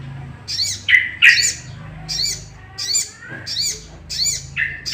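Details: Lure sound of a sooty-headed bulbul meant to excite other bulbuls into song: bright arched chirps repeated at a steady pace, mixed with a few lower, rougher notes near the start and end.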